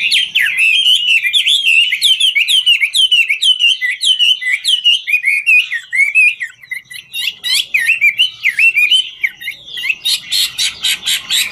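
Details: A Chinese hwamei (Garrulax canorus), a show bird, sings while dancing: a loud, rich torrent of varied whistles and sweeping slurred notes, fast and continuous, ending in rapid harsh repeated chips.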